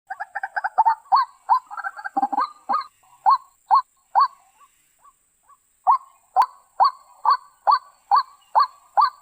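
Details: White-breasted waterhen calls used as a lure for bird trapping: loud, harsh kru-ak notes, first in a jumbled overlapping burst, then spaced at steady intervals of about half a second after a short pause.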